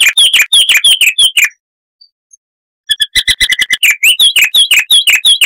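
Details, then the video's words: Chestnut-vented warbler of southern African scrubland: rapid jangling downslurred notes, a short pause, then a quick stuttering series of chips flowing into bright repeated whistled phrases. "Masteran Burung Luar Negeri Suara Asli Kristal HD - Chestnut-vented Warbler (Sylvia Subcaerulea)"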